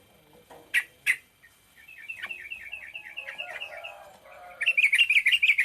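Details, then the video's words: Sooty-headed bulbul singing in the short rapid-fire style known locally as ropel pendek: two sharp loud notes, then a quick run of short bright chirps, ending in a louder burst of rapid rising-falling notes. "burung trucukan ropel pendek"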